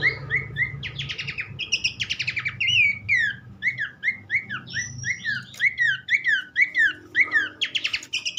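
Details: Horsfield's Babbler training song to make other babblers sing: rapid repeated swooping whistles interspersed with buzzy rattling bursts, continuous and lively, over a noticeable low rumbling background.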